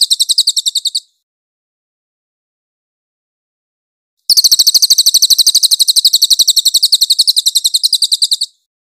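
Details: Clear cililin song used as a master recording for training magpie-robins: a short burst of high, fast chattering trill, a pause, then a long, even, rapid trill lasting about four seconds.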